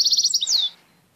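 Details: Tame pet European goldfinch singing a loud phrase: a fast run of repeated high trilled notes followed by a downward-slurred buzzy note, ending abruptly.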